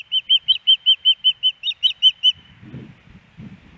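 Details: A female osprey begging the male for fish at her nest in Hellgate Canyon, Missoula, Montana, September 10, 2018. Some thirteen high, ringing whistles in a fast regular string, then low rumble.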